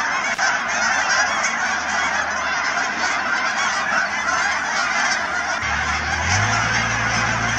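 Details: Thousands of Canada geese at Cheam Wetlands near Chilliwack, British Columbia, keep up a relentless honking chorus. A low droning hum rises in pitch partway through.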